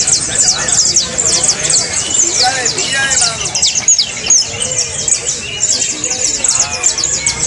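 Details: Song of saffron finch, played so caged birds learn to sing: a busy, unbroken run of sharp high-pitched chirps and downslurred notes, tumbling quickly, with softer lower twittering mixed in.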